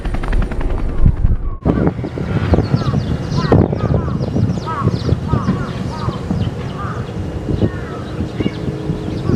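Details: A large flock of Eurasian tree sparrows buffeted by strong wind in a Japanese wildlife sanctuary gives short, sharp chirps in quick, overlapping bursts under a heavy roar of wind.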